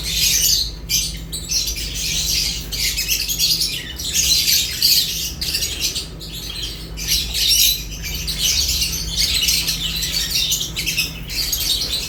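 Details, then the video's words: Lovebirds at their food, chattering loudly in harsh, squawking chirps that come in surges with short pauses over twelve seconds, a faint low hum running throughout. "Lovebirds unique colors eating and chirps sounds"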